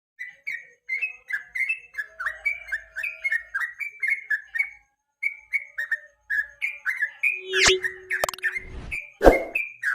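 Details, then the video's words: Yellow-vented bulbul singing in the evening, a lure song used as tutor material for training contest songbirds: rapid run of short whistled, slightly slurred notes around one pitch band, then loud sharp clicks and crackles near the end. "KICAU PANCINGAN BURUNG TRUCUK SORE HARI"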